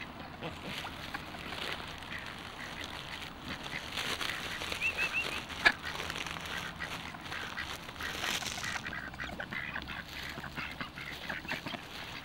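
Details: Pet ducks at feeding time give short, harsh quacks that cluster in the middle of the recording, with a steady background hiss and faint rustling.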